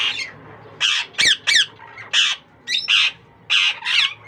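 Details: Young Indian ringneck parakeet chicks shortly after hatching from a first-time breeding pair, giving harsh, raspy squawks in short bursts of one or two notes, about eight calls in four seconds, indoors.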